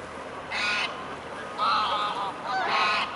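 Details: Mute swans at the Blaues Wunder bridge in Dresden, Germany, on 14 October 2017 at 2 pm: three hoarse, nasal honking calls, each about a third of a second, spaced roughly one second apart.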